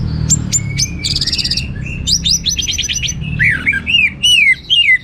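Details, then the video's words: Orange-headed thrush singing in the 'teler' style with abundant material: a fast, varied run of sharp whistled notes, rapid buzzy trills and rising and falling slurred phrases, loud and clear over a low background rumble. "Suara Gacor Burung Anis Merah Teler Materi Melimpah"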